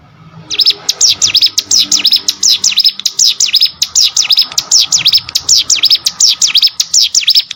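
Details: Hill prinia song used as training audio for competition birds: rapid, sharp whistled notes, each dipping and rising steeply, repeated in a steady chattering run of about twenty notes, with faint low rumbling early on.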